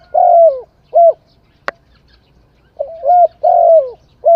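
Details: Cooing spotted dove giving soft, slightly falling coos in uneven runs of two or three notes, with a sharp click partway through and a low, quiet background hum.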